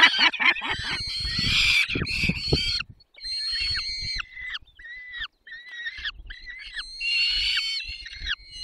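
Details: Peregrine falcons feeding, Barycz Valley, Poland, 20 May 2021: a burst of harsh rapid chattering with low rustling, then drawn-out whining calls with gaps of near silence.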